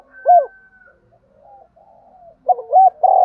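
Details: Spotted dove calling, stirred up to fight: a single low hooked coo, a stretch of faint murmuring, then a louder double coo running into a sustained cooing note at the end.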